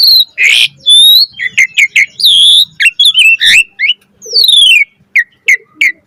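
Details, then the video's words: Full-variety song of an Asian pied starling, gacor mompa style, used as a master for training: harsh squawky notes alternate with clear descending whistles and short repeated chirps. "Jalak Suren Gacor Mompa Full Variasi Ocehan"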